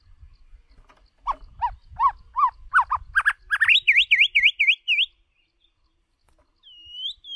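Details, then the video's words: White-rumped shama lure bird delivering a rapid repeated series of short rising notes that shift higher into quick V-shaped whistles, about two per second, then a pause and one last whistled note. "Chòe lửa Mồi hót cực đỉnh ✦ Luyện giọng chòe lửa"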